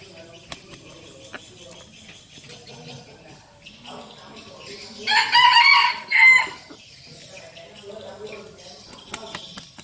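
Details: Captive decoy red junglefowl crowing: after quiet seconds of faint background chirps and clicks, one short, harsh, broad-toned crow in two bursts, the second clipped and fading, then quiet countryside ambience returns.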